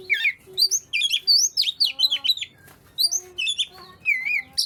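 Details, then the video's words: Oriental magpie-robin, song played to coax silent birds into singing: rich varied whistles and squeaky trills in quick bursts, with low tonal notes underneath and short pauses. "burung Kacer yang males bunyi pasti ikut gacor 100%"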